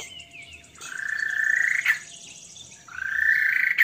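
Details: White-rumped shama singing an odd song with frog imitation: two long, rising, rattling croak-like notes near 2k, each lasting about a second, separated by a short pause.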